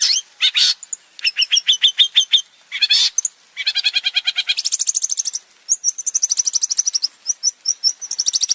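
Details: Long-tailed shrike, a male in full, varied song used as a lure to prompt other birds to sing: a jumble of harsh chattering notes, rapid trills and high squeaky phrases, changing every second or so.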